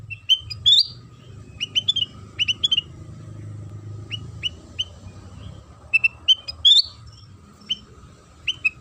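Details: A sooty-headed bulbul sings as a lure to make other bulbuls sing. Ringing whistled phrases of rising notes arrive in quick groups of three or four, with pauses between and a low hum throughout.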